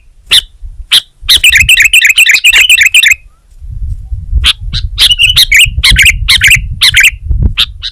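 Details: Sooty-headed bulbul, known in Indonesia as kutilang, singing hard: scattered sharp clicks, a dense two-second burst of warbled whistles, a pause, then further bubbly phrases mixed with clicks over low background hum.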